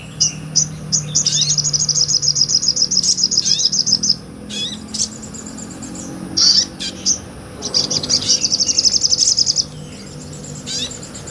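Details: Sunbird singing ngobra song, a real recording meant as tutor material for caged songbirds: long, rapid, high-pitched trills of many sharp repeated notes, broken by scattered chips and twitters, then another long trill, with a constant low hum behind.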